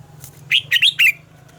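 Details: Morning song of a red-whiskered bulbul, double-note mature wild style, used for voice training: one tight phrase of four loud, rich, rolling notes over a low steady hum.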